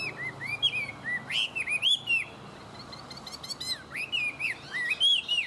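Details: Chinese hwamei, a tame bird in good voice, delivers a steady run of looping whistled notes, each rising then dropping, interspersed with sharp high chirps and short pauses.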